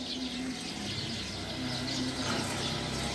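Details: Many wild Eurasian tree sparrows chirping as they go to roost in a tree, a loud, even wash of sharp twittering notes with a low droning background.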